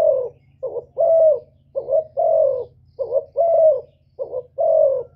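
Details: Cooing of a spotted dove meant to provoke males: regular, mellow phrases of a short doubled coo and a fuller, drawn-out note, about one phrase per second, with a steady low hum behind.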